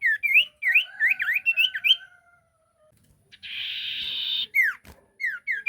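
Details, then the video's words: Lively sirtu song used as a lure: a quick run of upslurred whistled chirps repeated several times a second, then a steady hissing buzz, followed by a few downslurred whistles. "Burung sirtu gacor pancingan"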